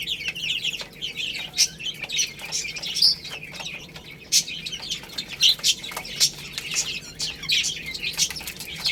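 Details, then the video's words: Chicks feeding on rice keep up a busy, continuous stream of shrill peeps from many birds at once, with sharp louder chirps standing out irregularly above the chorus. "Beautiful Chicks Chirping Sounds"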